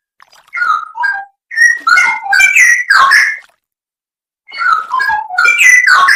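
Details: Loud, fluty Straw-headed bulbul song from a songbird training recording with full 'isian nembak' fills: bursts of gurgling, slurred whistles separated by short silences, including a pause of about a second before the final run.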